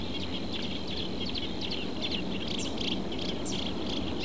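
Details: A reed warbler in a southern Portuguese reed bed delivers a hurried string of grating, chirping high notes, rising in intensity midway, over a faint steady hum and low noise.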